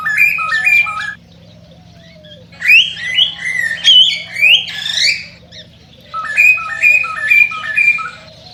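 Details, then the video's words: Breeding-stimulation song of a cockatiel: quick descending stepped whistles, then a busy stretch of bright rising whistles and harsh squawks, ending with another stepped whistled run; steady faint hum beneath. "صوت تغريد طائر الكوكتيل"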